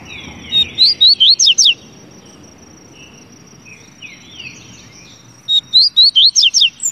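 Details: Two bursts of crisp, high whistled notes from a Double-collared seedeater, each about seven notes long and several seconds apart, with quieter descending chirps from other birds between them.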